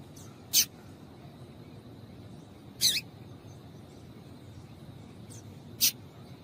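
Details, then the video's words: Female Double-collared seedeater call, used to excite males into singing: three short, sharp, high chips spaced about two to three seconds apart over a steady low background hum. "Piado de Fêmea de Coleiro para Esquentar Coleiro"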